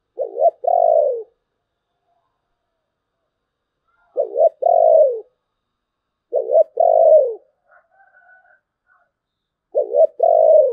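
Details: Spotted dove singing in the 'thổ bầu' voice style, with low hollow coo phrases, each a short double note then a longer falling coo, repeated every two to three seconds over silence.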